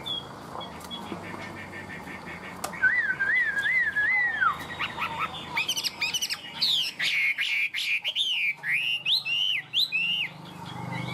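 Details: A tame caged Chinese hwamei, singing even with the camera held close, gives loud, rich whistled phrases that swoop and wobble up and down, with rapid rising and falling notes and some sharp clicks between.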